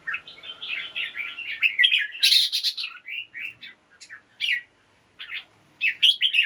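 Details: Caged red-whiskered bulbul singing in the morning to liven up other birds: continuous rapid chirpy warbling early on, then irregular short phrases separated by brief pauses, with sharp high squeaks.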